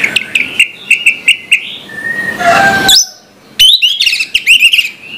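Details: Orange-headed thrush singing in the morning: a string of repeated short chirped notes, a drawn-out whistle, then a fast burst of slurred whistled phrases.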